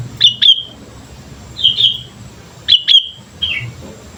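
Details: Sooty-headed bulbul singing energetically for use as a lure, four short bright chirp groups within four seconds, some notes doubled, the last dropping slightly in pitch, with low hum beneath.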